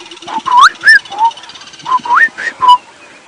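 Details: Southern Boubou giving about eight clear, fluty whistles, some rising and some falling, in quick succession over two and a half seconds, in the dawn chorus at a drainage line in northeastern South Africa, 5 October 2016, with faint birds behind.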